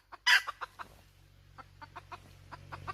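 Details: Hen letting out one loud, rough squawk followed by a string of softer, spaced clucks over a steady low background hum.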